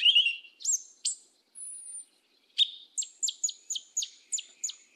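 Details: Black yellow-legged thrush in the 'mateiro do sul' song style: a few high slurred notes and a thin drawn-out whistle, then a quick run of sharp, high ticking notes repeated about every third of a second.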